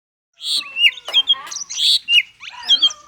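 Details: Oriental magpie-robin singing in the konslet style, used to prompt lazy or silent magpie-robins to sing: a quick run of varied whistled and chattering notes, sharp slurred phrases and buzzy bursts packed closely together.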